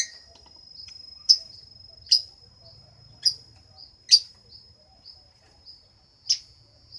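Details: Lovebird uttering sharp, high chirps at uneven gaps of roughly one second, over a steady thin high-pitched whine.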